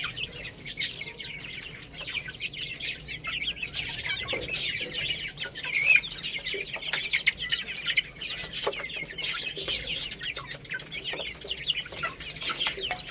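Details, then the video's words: Growing Lohmann Brown rooster and baby hen chicks feeding on rice, giving busy high-pitched peeping that runs continuously, broken by many crisp pecking clicks. "Chicks Chirping Sounds"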